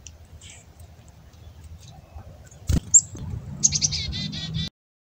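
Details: Wild black-capped chickadees taking food from a hand: after quiet rustling, a sharp high note, then a run of husky, buzzy dee notes repeated quickly near the end, with low background rumble.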